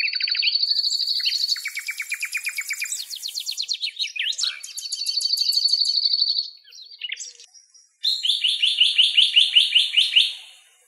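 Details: Birdsong composed by the uploader, accompanying footage of a male and female Eastern black-eared wheatear in Greece: a varied run of high, scratchy chirps, buzzy trills and sustained whistled notes, then a rapid series of rising chirps.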